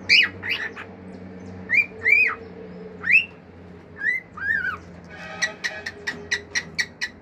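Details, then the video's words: Pet male cockatiel singing natural calls and clicks: bright arched whistles in pairs, then a fast even series of sharp clicks, about eight, with low hum behind. "CALOPSITA MACHO CANTANDO CANTOS NATURAIS, FIU-FIU, ESTALINHOS ENTRE OUTROS"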